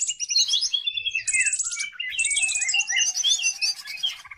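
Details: Used for training other birds, a greater green leafbird gives fast, shrill twittering with high buzzy bursts and quick whistled slurs, running almost without a break.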